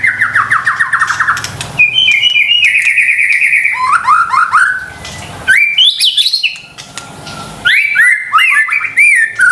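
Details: Murai batu lure song for waking up silent or stressed shamas: rapid repeated falling notes, then a long warbled whistle, stepped rising phrases and a final burst of quick varied whistles, faint low hum beneath.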